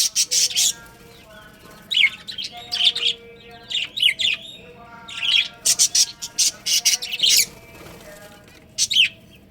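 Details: Breeding pair of budgerigars kept as pets: clusters of loud scratchy chirps mixed with steadier whistled tones, repeated in short groups every second or two.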